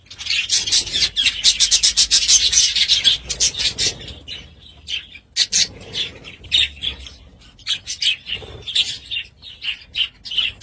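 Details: Budgerigars loudly chattering, an opening run of fast rasping chirps followed by separate squawky calls roughly once a second, with quieter warbling between them.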